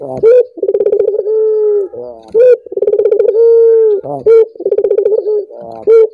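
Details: Collared dove cooing, played to set other doves calling: a rolling pulsed trill runs into a long steady low coo, then a short emphatic note, the phrase repeating about three times, heard indoors.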